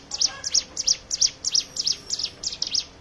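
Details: Lure song of a hill prinia meant to set other birds singing, heard as quick paired high chips, each pair a sharp note with a falling tail, repeated about three times a second.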